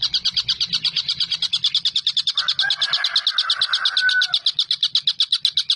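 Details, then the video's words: Collared kingfisher recorded as a master track for teaching songbirds like white-rumped shama, green leafbird and lovebird. Rapid, evenly spaced dry notes run continuously; midway a lower, drawn-out tonal sound with a brief whistle overlaps for about two seconds. "TENGKEK BUTO GACOR"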